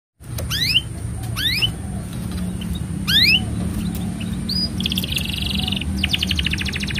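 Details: Canary singing a long, energetic song used as a master for training young canaries: sparse upward-sweeping whistles, then a fast buzzy trill and rapid repeated notes, over a steady low hum.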